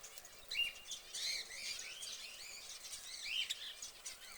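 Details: Caged orange canary chirping: quick high twitters and sliding notes in short clustered phrases, a few clean whistled pips standing out, against a quiet background.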